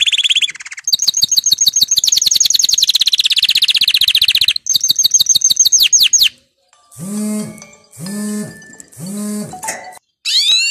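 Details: Excited male canary, breeding preparation: six seconds of rolling, rapid trills with brief pauses, followed by three repeated lower, harmonic, nasal notes and a final sweeping phrase.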